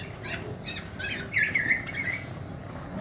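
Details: A black-naped oriole (Oriolus chinensis) chick gives harsh, rasping begging calls, several short scratchy notes then a longer drawn-out buzzy one, over a faint outdoor background; recording used to lure the parent birds.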